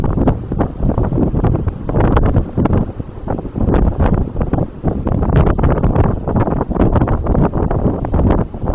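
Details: Heavy wind buffets the microphone throughout in loud, rumbling gusts, with no other sound standing out.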